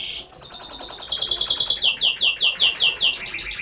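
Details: Canary singing a bright high whistle that breaks into a fast pulsing trill, then slows into repeated sweeping chirps that step gradually lower, all clear and loud in a small room.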